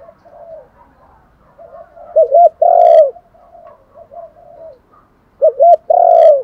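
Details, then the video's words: Spotted dove (cu gáy) giving its luring call: two loud phrases, each a pair of short hooked notes followed by a long, drawn-out, slightly falling coo, with soft, faint cooing between them. "cu gáy thúc gù gáy gọi/ tiếng chim cu gáy đủ bài"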